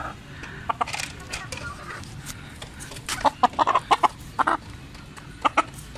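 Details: Persian rooster, a large bird, giving irregular throaty clucks that bunch into a quick run of about a dozen notes midway, with light background noise between them.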